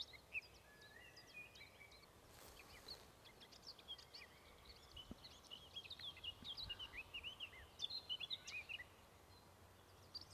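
A Eurasian skylark pours out a fast, unbroken stream of high chirps, trills and twittering notes, quiet at first and then building, over a soft outdoor hiss.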